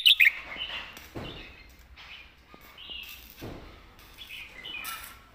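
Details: Red-whiskered bulbul in the southern master song style. A sharp opening burst is followed by soft, slurred whistled phrases, separated by low thumps and background rustle.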